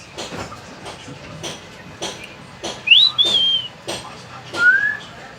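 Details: Talking common hill myna: a rising whistled note sliding into a level high whistle around three seconds, then a shorter rising whistle near the end, among repeated sharp clicks and faint voices saying the bird's name.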